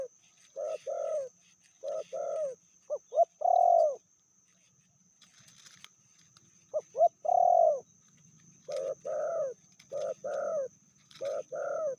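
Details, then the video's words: Cooing of a female spotted dove, said to be more aggressive than the male: soft, hollow two- and three-note coo phrases separated by silences, with a faint wing flutter midway and a constant thin high-pitched hiss. "Betinanya lebih ganas dari jantannya/bl suara sedang"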